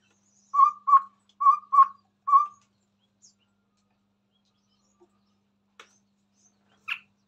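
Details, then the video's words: Chestnut-rumped babbler singing in front of a phone: five soft, low whistled hoots in close pairs over two seconds, followed by silence broken by a few faint clicks and taps. "Burung Tepus Tunggir merah Gacor di depan Hp"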